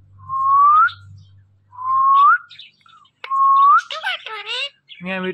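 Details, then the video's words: A pet parrot at play with her best friend whistles three upward-sliding notes, then breaks into a burst of throaty, speech-like chatter. "talking parrot || Parrot talking"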